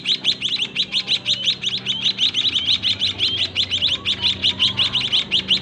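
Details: Caged White-headed munia nestlings being fed by the adults in a narrow breeding cage: urgent, high-pitched chirps repeated quickly and evenly, nearly three per second, over a quiet low hum.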